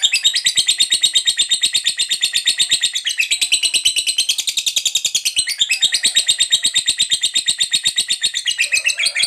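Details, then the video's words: Fighter lovebird delivering the long ngekek chatter used to lure and provoke other lovebirds: a sustained, rapid-fire string of harsh high notes, dropping slightly in pitch midway, then rising again. "Pancingan Suara Lovebird Ngekek Panjang"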